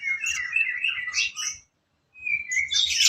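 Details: Sooty-headed bulbul song used as training material for songbirds: rapid, chirpy, twittering phrases with whistled notes, broken by a half-second pause, over faint low background rumble.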